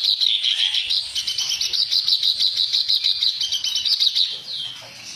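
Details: Harsh-voiced reed warbler song used as a training recording: fast, pulsing, high chatter for about four seconds, then fading to quiet.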